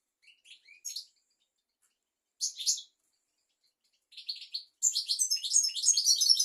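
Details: European goldfinch tutor song for young goldfinches and canaries: a few soft chirps, then short twittering clusters, leading into a long, fast, jangling run of high liquid notes.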